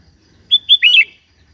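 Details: Sooty-headed bulbul calling to companions: two separate clear whistles followed by a quick bubbly trill of slurred notes, with a soft low hum in the background.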